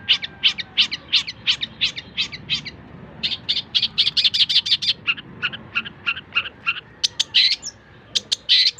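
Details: Long-tailed shrike song used for teaching other songbirds: a steady series of short, harsh, buzzy notes repeated about three times per second, with a pause near three seconds and sharper scratchy notes toward the end.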